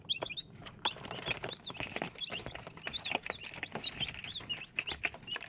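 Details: Chicks chirp in short, high, bending peeps, often in quick pairs, continuing throughout alongside clicking, scratching and rustling sounds.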